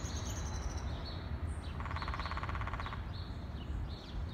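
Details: Woodpecker about 20 feet up in a tall tree in Forest Hills Gardens, New York City, pecking while feeding at breakfast time: one rapid staccato burst of taps lasting about a second, with faint bird chirps and steady low traffic rumble.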